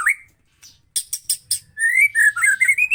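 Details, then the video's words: White-rumped shama song used to provoke other shamas into singing: a rising whistle, several short sharp high notes after a pause, then warbled whistled phrases rising and falling. "PANCING MURAI BATU BUNYI CESS PLENGG!!!"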